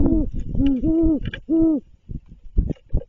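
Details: Great horned owl at a nest during a food delivery, giving four low, soft hoots in quick succession, each slightly arched in pitch, followed by a few dull knocks and rustles.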